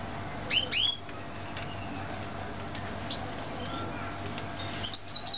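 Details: Canaries born in 2009 giving a pair of bright rising chirps early on, then a long lull over low steady hum before a few more high twittering notes near the end.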